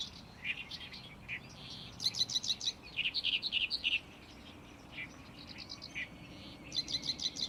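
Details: Great reed warbler singing loudly in a Lake Biwa reed bed in May; rhythmic series of harsh, creaky notes, each repeated four to six times, alternate with scattered softer chirps, with full-power bursts at the start and end.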